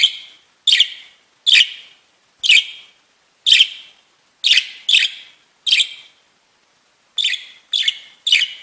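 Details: Budgerigar tweeting as short, sharp, high chirps, each one separate and repeated roughly once a second, with a longer gap before a final quicker run of three.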